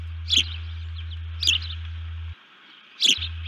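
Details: Upset osprey at its nest giving alert calls, nest camera, early morning 1 June 2019: three sharp, high, slightly trailing chirps at irregular intervals, with a low constant hum that cuts out briefly.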